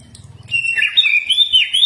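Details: Common iora song used to train cage birds: a brief warbled phrase of whistles that wavers up and down, after a moment of low background noise.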